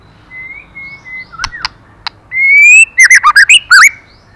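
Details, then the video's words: Female white-rumped shama stimulating the male: a level whistle, a few sharp clicks, then a long rising whistle that bursts into six quick looping warbled notes. "Choè lửa mái kích trống hay nhất"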